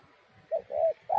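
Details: Spotted dove giving low, soft hooting coos, three notes with the middle one longest, over faint background noise.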